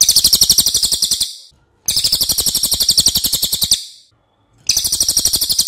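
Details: Racket-tailed Treepie (cililin) song, a recording used to train other songbirds, noted for a long, loud voice: high, rapid, buzzy chattering trills in bursts of about one to two seconds, separated by short silences.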